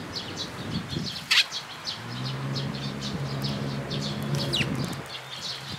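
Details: Sparrows arriving at a post for feeding at a Tenmangu shrine, June 2022, chirping continuously in thin high notes; a sharp loud click near the start and a low humming drone underneath.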